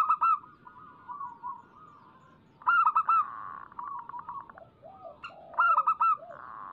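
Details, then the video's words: Local zebra dove in lively 'gacor' song, played to lure doves into singing: a rolling coo, then two bright bursts of rapid clipped notes about three seconds apart, with a softer buzzy trill between them. "Suara pancingan burung perkutut lokal gacor"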